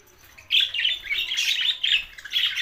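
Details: Lonely budgerigars recorded on June 7, 2024; after a short quiet start, continuous rapid warbled chatter of squeaky, grating and chirping notes runs without a break to the end.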